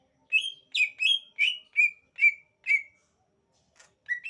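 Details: Singing greater green leafbird giving about eight sharp, separate whistled notes, each a quick downward-slurred chip. The notes come at a steady pace of roughly two per second, then the bird pauses and starts again. The background is silent.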